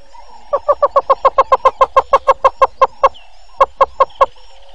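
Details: Yellow-billed hornbill at Gowrie dam waterhole, Djuma Game Reserve, Sabi Sand Wildtuin, South Africa, 06:48 on 02/08/19: a loud run of about seventeen hollow, evenly spaced clucking notes, a short pause, then four more, over a faint steady hum.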